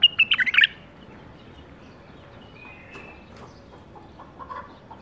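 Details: Young captive-bred bulbul of the 2018 season gives a loud rapid burst of about six clear, bright notes in quick succession, followed by quieter scattered chirps and faint distant bird calls in the background.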